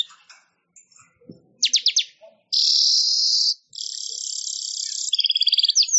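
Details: Weaver (manyar) chattering song for training songbirds: scattered faint notes, a quick burst of rattling strokes, then a loud sustained high buzzy hiss and another long sizzling trill ending in rapid ticks.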